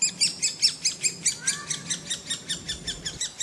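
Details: Woodpecker recorded in 2007: about sixteen rough, buzzy high notes in quick regular succession, loud at first and then slightly softer, with a faint low hum in the background.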